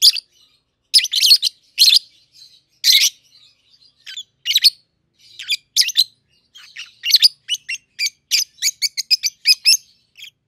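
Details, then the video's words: A pair of 7–8-month-old captive-bred peach-faced lovebirds, red-headed green opaline and red-faced dark green, give shrill, harsh chirps and squeaky chatter in quick irregular bursts, rising to a rapid run of sharp notes. "Peach-Faced Lovebird's Sounds"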